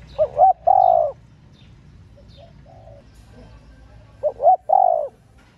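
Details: Female spotted dove calling to excite male doves. Two clear cooing phrases about four seconds apart. Each opens with a quick upward-bent note, followed by a longer, steady, hollow coo, with quiet between the phrases.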